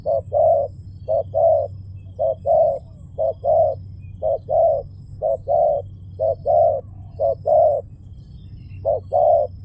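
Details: Long run of spotted dove cooing, short-long coo pairs repeated rapidly and evenly for nearly ten seconds, over a quiet low hum.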